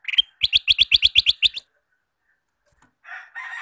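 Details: Male sooty-headed bulbul singing vigorously, kept as a lure to trap wild bulbuls: a quick run of about nine short bright chirps in a little over a second, then a faint rustle and a soft hissing noise.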